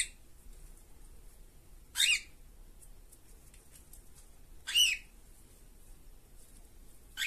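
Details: Two caged cockatiels giving brief shrill squawking calls, three sharp bursts spaced roughly three seconds apart, with near silence and faint room noise between them.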